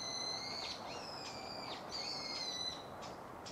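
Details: Male Yellow-throated Bunting at Gongenyama, Japan, 19 March 2016, gives high, thin whistled notes in two short phrases slurring up and down, over soft outdoor hiss.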